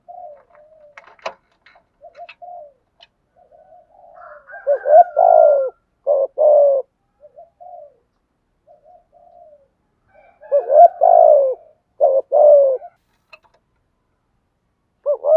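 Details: Spotted dove, male and female, cooing in the thổ style used as a decoy to stimulate other males to sing; low hoarse coos in short phrases of two to three notes, separated by pauses and soft murmuring.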